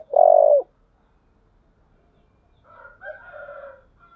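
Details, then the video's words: Spotted dove, earthy 'giọng thổ' voice style, fight-provoking call: one loud, deep, sustained coo, then a pause. A fainter, higher, wavering call, possibly from a rooster, follows in the background. "cu gáy giọng thổ, thúc đấu"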